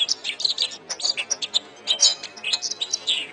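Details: Canary singing, a master recording for training songbirds: quick bright chirps and short high trills in varied phrases, with sharp whistled notes clustering in bursts, some faint background noise.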